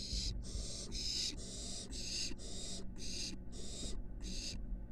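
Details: Barn owl nestling at a University of Florida nest box, moving from porch up to the roof; rapid series of about nine rasping hisses, nearly continuous with short gaps, over low hum.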